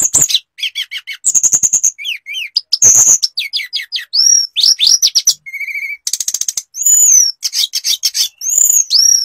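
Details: Tledekan or sulingan (hill blue flycatcher) in lively flute-style song packed with imitated phrases: sharp high notes, buzzy rattling bursts and clear steady whistles, barely pausing.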